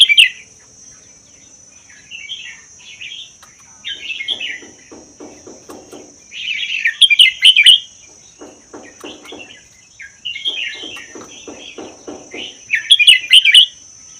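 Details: Red-whiskered bulbul, a wild bird from the Vietnam–Laos forest kept for a year, singing a mostly doubled song used to stir other bulbuls to sing. Loud bright chortled bursts recur every few seconds, with softer answering phrases and faint clicking between them.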